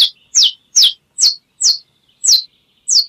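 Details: Saffron finch giving slow, evenly spaced, high-pitched chirps, each a sharp downward slur, about seven notes with clear pauses between and a clean quiet background.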